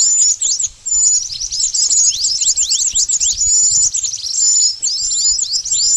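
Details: Pied bush chat lure call used for trapping birds: dense, rapid chirps and short rising and falling high notes, with thin whistles woven through, heard without a break.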